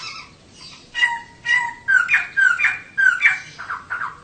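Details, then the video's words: Female laughingthrush calling, used to prompt males to sing more: steady whistled notes near one pitch, then a run of louder, slurred, descending phrases roughly twice a second, with faint room hiss. "Kicau Poksay Betina || Pancingan Untuk Poksay Jantan Supaya Gacor"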